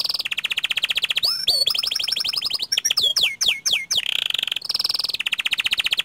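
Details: Panda canary singing energetically in the rolling style, with long rolled phrases: fast buzzy trills held steadily, then rapid downward-sweeping whistled notes, followed by another dense high trill; loud and continuous with no other sounds.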